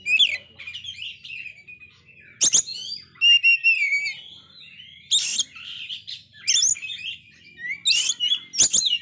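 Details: Oriental magpie-robin, in failed moult yet singing very actively, used to provoke low-spirited magpie-robins. Rich whistled phrases with slurred notes and buzzy trills, interrupted by several sharp clicks.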